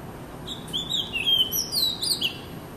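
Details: Magpie robin singing a short run of clear, high whistled notes that slide downward and upward in quick succession, over a low background hum.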